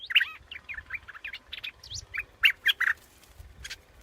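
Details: Scarlet-backed flowerpecker uttering short, sharp, high chirps in an uneven string, a few louder notes standing out near the middle, over light background hum.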